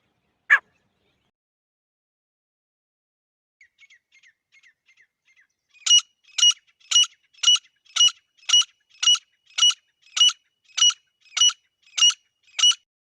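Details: A female grey francolin opens with one sharp note and some soft faint notes. Then comes a steady series of loud, ringing, high notes, evenly spaced about half a second apart, fourteen in a row.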